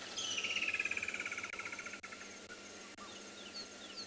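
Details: Woodland kingfisher on a morning in early December 2020 at a small pan in a South African game reserve: a fast, ringing trill of high notes sliding down over about a second, then clicks, a hum and many other active birds.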